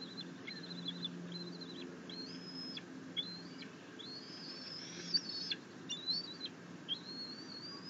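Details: Bald eagle eaglet chittering as its mother delivers a fish to the nest while it tries to self-feed on a rabbit, 9 June 2021: a series of thin, high, flat whistles, some slurring upward, under a steady low hum.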